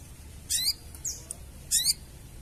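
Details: Sooty-headed bulbul giving harsh chattering calls, the style known locally as crecetan, used to lure birds for trapping: two short buzzy bursts of stacked, zigzagging notes about a second apart, with a faint chip between, over low background hum.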